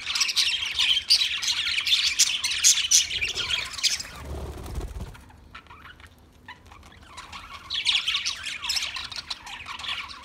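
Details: Budgerigar chirping and warbling busily for about four seconds, then a low rumble and near quiet with a few soft notes, before the chatter resumes toward the end.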